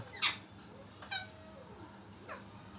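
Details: A happy, healthy pet Indian ringneck parakeet, jumping about, gives three short, harsh, squeaky chirps, spaced about a second apart, over a quiet indoor background.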